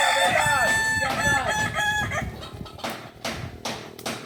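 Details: Kukuak Balenggek chicken of Solok, West Sumatra, at a practice contest: a rich crow of repeated arched syllables fading after two seconds, then several short sharp bursts from other birds nearby.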